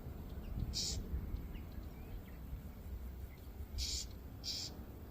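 A young Whinchat gives three short, high, hissing begging calls, one alone then two close together, over a steady low rumble of wind.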